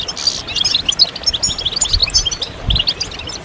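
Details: Several European goldfinches in a group chorus used to stimulate moulting goldfinches, with mating and readiness calls: bright, high twittering chirps and quick slurred notes tumbling over one another, with soft low thumps underneath.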